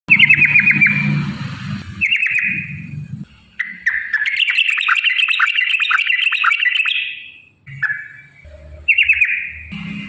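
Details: Yellow-vented bulbul singing actively, used as a lure to get other bulbuls singing: bubbly, warbling whistled phrases near the middle of its range, broken by short gaps, over low rumbling background noise.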